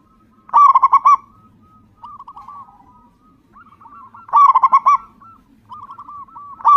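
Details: A strongly singing local zebra dove, meant to lure others into song. Loud rolling bursts of quick coos recur about every four seconds, with gentler cooing phrases in between.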